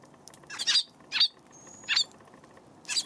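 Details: Eurasian tree sparrow calling on a 31 March afternoon: four bright, harsh chirps spaced roughly half a second to a second apart, with a thin high whistle from another bird in between.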